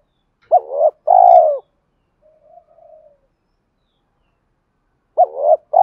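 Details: Spotted dove used as a decoy, cooing to incite fighting and call a mate. A double-note phrase ending in a long low coo, a faint soft murmur, then a new phrase beginning after a pause.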